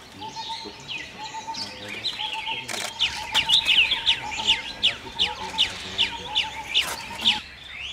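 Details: Chestnut-tailed starling chatter: scattered chirps build into a steady series of bright, downward-slurred notes, about two or three per second, with brief clicks and a low background hum.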